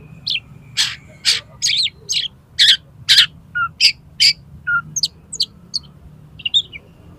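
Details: Oriental magpie-robin challenging a rival to fight, tail spread, in a mimicry-rich song; a steady series of harsh, scratchy broadband notes about twice a second, with a few lower whistled notes and thinner high chirps toward the end.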